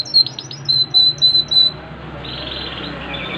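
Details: Yorkshire canary, a posture breed, singing actively: a quick run of sharp high chirps and squeaky notes followed by a sustained thin high tone, then a softer buzzy trill fading out in a small indoor room.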